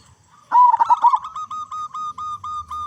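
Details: Loud-voiced local zebra dove, used as a lure to get other zebra doves singing: one strong burst of rapid, rolling, stuttered coos, followed by a string of quieter, evenly repeated tonal notes.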